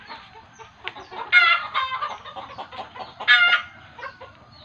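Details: Chicken alarm calling, linked in village belief to seeing a ghost: low, steady clucking with two sudden loud, strained squawks about two seconds apart.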